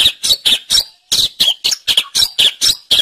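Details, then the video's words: Long-tailed shrike in full 'gacor' song: harsh, noisy notes in rapid bursts, about four per second, with one brief pause before the series resumes. "Suara Burung Cendet | Gacor"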